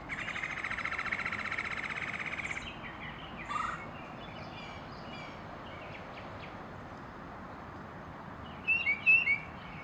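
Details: Tufted titmouse breeding pair, female calling the male to collect more nest materials: a long harsh, buzzy call lasting over two seconds, then a brief note, and a few high thin whistled notes near the end, over steady hiss.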